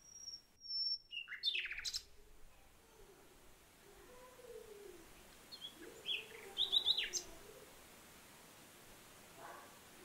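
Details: Common nightingale song: a long, pure, high whistled note, then a burst of sharp clicking notes, a quiet pause, and a short run of rapid, high repeated phrases, over a faint low background hum.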